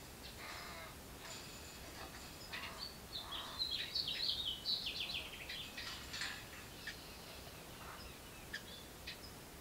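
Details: House wren (Troglodytes aedon) nestlings in a birdbox beg as the parents bring food, giving thin, high, raspy begging notes in rapid bursts, several a second, peaking midway, over a steady background hiss.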